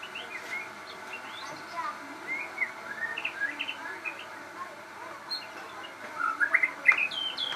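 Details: Crossbred shama, described as very vocal, delivering varied short whistles and chirps in scattered bursts, ending with a louder cluster of sharp upswept notes, over a low background hiss.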